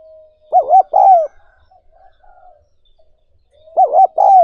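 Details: Two three-note spotted dove coos, soft and throaty with a long descending ending, separated by a few seconds of quiet faint murmurs; recorded for training decoy doves and exciting wild-caught birds.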